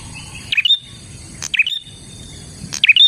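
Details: Bar-winged prinia singing lively gacor phrases as a lure: three sharp, high chirps about a second apart, each sliding down and flicking back up, over a faint persistent whine.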